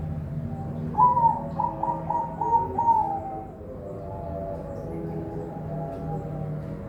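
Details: Zebra dove (perkutut) from a breeding farm in Semarang, Indonesia, delivering a quick run of five mellow, rising-then-falling coos before the voice fades into low-pitched background noise.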